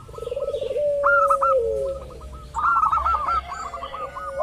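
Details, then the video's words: Local zebra dove lure song meant to draw other doves into calling: a quick rolling trill and drawn-out falling coo, then bursts of higher clipped notes, rather noisy background. "pancingan burung perkutut lokal ampuh , perkutut lokal jago memancing lawan bunyi"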